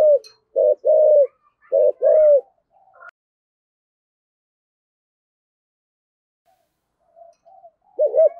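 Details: Spotted dove in 'thổ sấm' voice style giving a quick run of deep paired coos, a brief note then a drawn-out falling coo, followed by a long silence and one more coo at the end.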